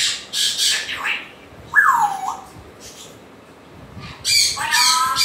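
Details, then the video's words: Rough squawks from an African grey parrot, then a clear whistle that drops in pitch, followed by a burst of harsh, noisy calling. "african gray parrot sounds"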